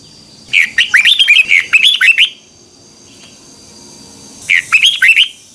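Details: Twisting double-voice morning song of a Red-whiskered bulbul, recorded in 2021 as a tutor for training birds. A long run of chirpy, swooping whistled notes lasts almost two seconds, and after a pause a shorter, similar phrase begins.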